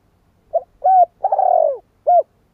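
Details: Spotted dove phrase of four parts: a clipped coo, an even hoot, a vibrating purr that drops gradually, and a short closing coo. The notes are soft, hollow and low-pitched against silence.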